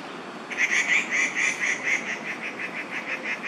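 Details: At Daan Forest Park on 4 July 2020, around midday, with young crested goshawks and their mother present: a quick series of bright, clipped nasal notes, loud at first then gradually fading, several each second.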